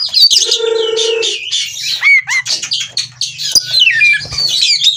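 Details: Breeding-condition oriental magpie-robin doing ngobra, wanting to mate, Cirebon, Indonesia; varied whistled phrases with upslurred and downslurred notes and scratchy trills, a steady droning tone early on and a soft low rumble beneath.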